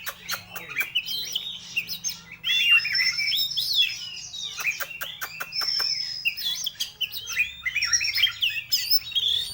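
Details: White-rumped shama singing a rich, varied song of whistled notes, slurred phrases and sharp clicks, mostly high-pitched, with a faint low hum underneath.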